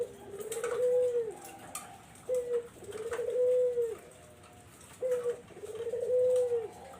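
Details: Barbary dove sound used as a lure for zebra doves: a soft, low, rolling coo, a short note then a longer drawn-out purr, repeated about every three seconds.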